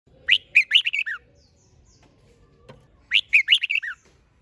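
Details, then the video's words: Red-whiskered bulbul singing in a competition-style song, used to spur birds to sing. Two loud, rich phrases of about five quick whistled notes, sliding up then dropping, separated by a three-second pause. "Chào Mào Hót - Kích Chim Hót Xung"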